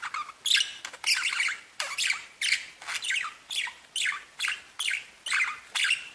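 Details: Budgerigars singing: continuous chattering of harsh chirps and raspy squeaks, overlapping notes with scarcely a pause.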